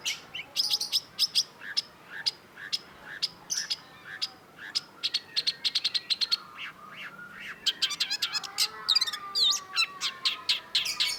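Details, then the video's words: Cendet (long-tailed shrike) in a master recording: a long, rapid series of sharp clicking chirps, accelerating into dense trills and squeaky slurred notes toward the end. "KOLEKSI MASTERAN CENDET || Long-tailed Shrike"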